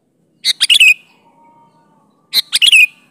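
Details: Sooty-headed bulbul in lively natural song, used as a lure to make other bulbuls answer; two short bursts of three or four quick, harsh, bubbly notes about two seconds apart, with near silence between.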